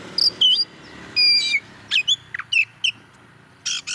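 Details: Oriental magpie-robin song played to rouse other magpie-robins: scattered short whistled notes and slurred high phrases with gaps between, ending in a dense buzzy burst, over faint background hiss.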